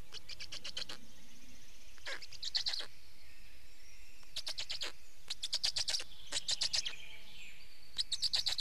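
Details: Estonian black storks at the nest on 19 May 2019, during the change-over of the pair and feeding: short series of fast, scratchy pulses in bursts about a second long, separated by brief pauses, with other birds singing faintly.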